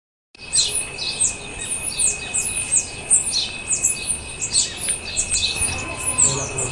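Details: Male Black-throated mango (Anthracothorax nigricollis), Iguazu, Argentina, 24 October 2015: rapid, very high, thin chips and squeaky twitters, nearly continuous, over a steady high insect-like whine and faint background hiss.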